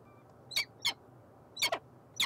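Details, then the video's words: Peregrine falcon in Montreal, Canada: four loud, harsh, rasping notes with strong upper harmonics, spaced unevenly, the third a quick doubled note, over faint steady background hum. "Sokół wędrowny"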